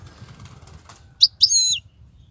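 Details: A wild goldfinch, praised for its 'btbtat' style and non-stop singing, gives a quick high chirp and then a longer, ringing, slightly descending twittered note, with low steady background rumble.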